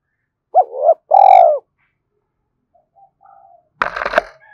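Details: Spotted dove, a recording used to rouse wild doves: a twin-peaked coo and a long purring note with strong overtones, then faint notes and an abrupt noisy clatter.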